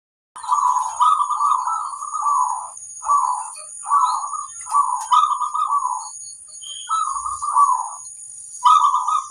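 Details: Zebra dove, a local bird with a strong, loud voice, singing to provoke other birds into answering. Its phrases are bubbly, rolling trilled coos, repeated in bursts of about one to two seconds with short pauses between them.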